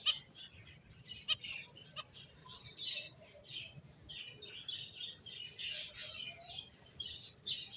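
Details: Several finches chirp continuously, a dense stream of sharp, very high tweets and trills with barely a pause, louder bursts near the start and end, over a soft low rumble.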